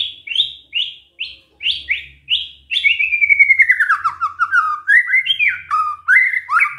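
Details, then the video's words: Song of a white-rumped shama (murai batu) copying canary phrases: a row of rising whistled chips followed by a long descending trill that breaks into varied up-and-down whistles, over faint low background hum. "murai batu bongkar isian KENARI"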